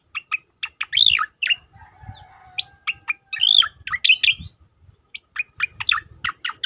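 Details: Striated grassbird song in the bursting style, used for training and provoking other songbirds: sharp, varied whistled and chirping notes in quick bursts, including slurred rising-falling phrases, with a faint low hum underneath.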